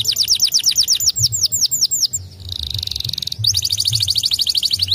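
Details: White canaries singing, with repeated downward-sweeping high whistles, a fast buzzing roll in the middle, then more rapid whistled notes, over a low background hum.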